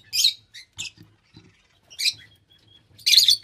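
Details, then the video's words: Loud, harsh, shrill chirps from lovebirds come in separate bursts, each a rapid cluster of screechy notes with short silences between. "Love Birds Nature Sound"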